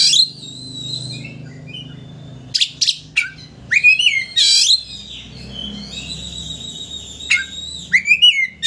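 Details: Oriental magpie-robin song used to excite a rival into opening its tail: drawn-out whistles, quick upslurred notes and scratchy bursts over constant low-pitched background noise.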